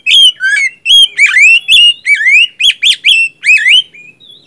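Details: Magpie-robin song played as bait and therapy for a kacer that has stopped singing: loud, clear whistled phrases in rapid succession, with rising and falling slurred notes and upward sweeps around bright harmonics, about one note per second, no background noise.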